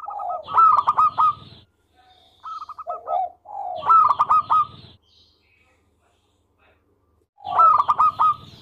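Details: Zebra dove of local stock singing: loud, close, rasping phrases of fast clipped notes joined to low coos, repeating roughly every three to four seconds with quiet gaps between.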